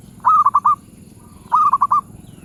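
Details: Zebra dove in the medium-voice class (suara sedang), giving two short cooing phrases, each a quick run of four or five rolling, purring notes with a pause between, over a quiet background.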